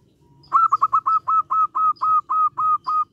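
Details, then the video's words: Local zebra dove (perkutut) calling and answering: a quick opening stutter of notes, then a long, evenly paced series of soft, mellow, clipped coos on one pitch, about four per second, with a faint low hum behind. "Perkutut lokal gacor suara memanggil ngejek bikin emosi nyaut"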